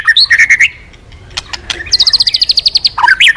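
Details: White-rumped shama singing as a lure for other birds: quick twittering whistles, a short pause with clicks, then a fast even series of about a dozen high pulsed notes and a warbled ending.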